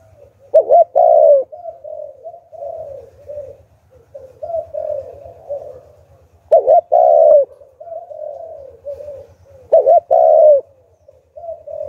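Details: Decoy spotted dove cooing in the Hạp Bổi voice to draw in wild doves: three loud, hooked two-part coos spaced roughly three to five seconds apart, with soft murmured cooing between and a low pulsing rumble in the background.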